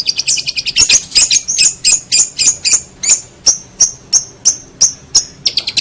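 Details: Master track of a long-tailed shrike for tutoring songbirds: jumbled high chatter settling into regularly repeated shrill, sharp notes about three per second.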